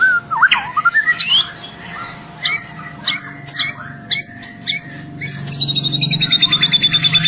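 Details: Spotted young white-rumped shama sings energetically: a swooping whistle, then spaced sharp chip-notes roughly every half second, ending in a fast, high, even trill over a low steady hum.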